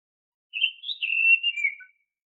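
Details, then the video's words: Whistled song of an Oriental magpie-robin, used to coax caged birds into singing. A single sustained phrase of about one and a half seconds wavers up and down, then slides lower at the end against silence. "Suara Siulan KHAS Burung KACER, AMPUH untuk Pancingan kacer BAHAN agar GACOR"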